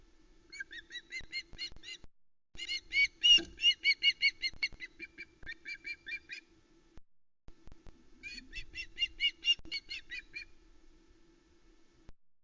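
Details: ['Osprey chick at the Loch Arkaig nest, 1 September 2020, squawking for a while over a whole trout her father brought, without starting to eat. Several bursts of quick, shrill, repeated squawks stand out over a faint steady hum.']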